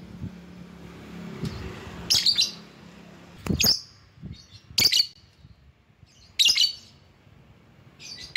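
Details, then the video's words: Lovebird calling as a lure to draw rival birds: sharp, high, squawky chirps given singly at irregular gaps of one to two seconds, with a faint low hum beneath. "Burung LOVEBIRD Ampuh memanggil lawan"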